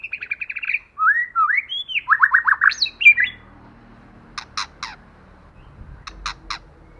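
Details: White-rumped shama lure song, female or male with female, wild forest voice meant to excite other shamas: fast chattering notes, swooping whistles and buzzy falling phrases, then scattered sharp clicks over faint low noise.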